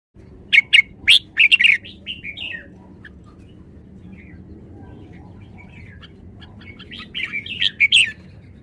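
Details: Caged red-whiskered bulbul showing off its song style: loud bursts of sharp chirpy whistled notes at the start and again near the end, with a quieter warbled stretch between, over steady low background hum.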